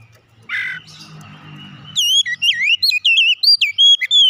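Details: A harsh rasping note opens, then an oriental magpie-robin breaks into a fast series of clear, curling whistles and high sharp chips, about 171 notes a minute.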